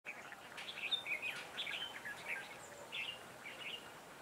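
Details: Red-whiskered bulbul used as a decoy at a trap, singing to lure wild birds: short warbled, whistled phrases in quick bursts, then a brief pause and two further phrases, over a steady hiss of background noise.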